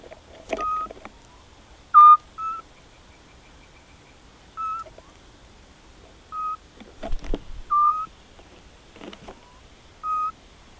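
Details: Eurasian scops owl pair at a nest attempt in rural Cavarzere, Italy, spring 2016, mating: brief whistled notes at irregular intervals, some paired, mixed with clicks, knocks and rustling close by.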